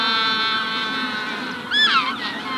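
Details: Hatching-stage colony of Magellanic penguins: a sustained nasal, many-harmonic call holds steady, then a sharp looping chirp from a rufous-collared sparrow cuts in near the end over the penguin chorus.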